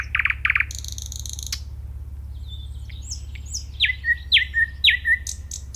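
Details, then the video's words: Nightingale song opening with two loud buzzy bursts and a high flat whistle, a pause, then soft high notes leading into loud downward-swept notes repeated about every half second, over a low hum. "صوت العندليب"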